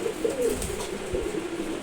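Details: Low, throaty cooing from a month-old Maxi Racer pigeon youngster that already flies well. The notes are brief and quavering, with faint handling knocks underneath.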